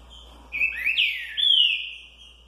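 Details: Caged green-winged saltator (trinca-ferro) in 'curricurril liso' song style: three strong, slurred whistled notes, the last a long falling whistle, over a low steady hum.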